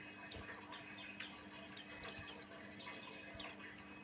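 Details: Buxtoni white-eye, a constantly singing Javan male used as a lure for other white-eyes, gives rapid runs of bright, high, downslurred whistles, several clustered tightly together, over a faint steady hum.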